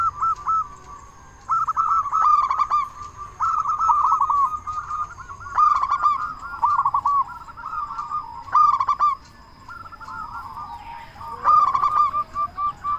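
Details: Local Indonesian zebra dove with a big voice, used to make other doves sing quickly: repeated phrases of stuttering mid-pitched coos separated by short pauses, some phrases louder and sharper than others.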